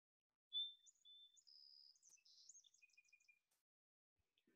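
Song Sparrow song lasting about three seconds: clear opening notes, a buzzy middle, then a quick descending series of short trilled notes.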